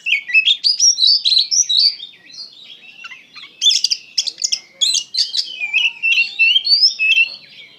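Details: Kacer (Oriental magpie-robin) in energetic song, mixing sweet whistles with harsher, scratchy bursts, loud and almost unbroken across eight seconds.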